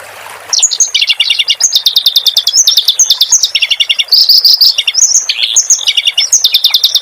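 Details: Tutor recording of a clamorous reed warbler for cage birds: after a faint hiss, a lively run of high chattering phrases begins, mixing rapid trills, buzzy notes and a few lower falling whistles.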